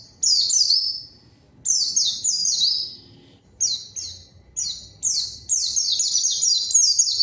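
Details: White-eye lure song to bring out a rival: repeated short bursts of high, rapidly falling notes separated by brief pauses, building into a longer run at the end.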